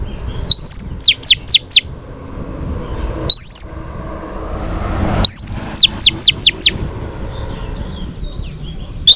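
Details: Oriental magpie-robin female song meant to rouse males: rising whistles each followed by a rapid run of four or five steep downslurred notes, repeated, with faint chattering toward the end.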